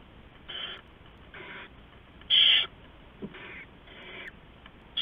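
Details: Night scene at an owl nest on 15 November 2015, rats given to owlets by an adult; several soft raspy hisses and one much louder, brighter screeching burst midway.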